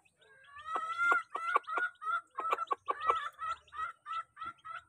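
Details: Crowd of chickens at feeding time, a flock of chicks kept as home animals: loud, harmonic, slightly rising calls repeated rapidly in overlapping bursts about three per second, with a few fainter calls in between.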